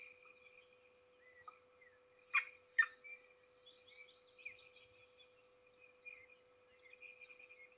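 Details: Peregrine falcon feeding its single chick, Trzebież Forest District, Poland, 7 May 2022: thin, high wavering chirps run through the clip, broken by two sharp, harsh bursts a moment apart, over a steady electrical hum.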